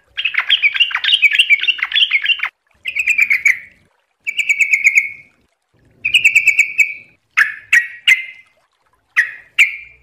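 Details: Yellow-vented bulbul, known locally as trucuk, singing in fast ropel style: a long warbled opening run, then several short repeated bubbly bursts spaced about a second apart.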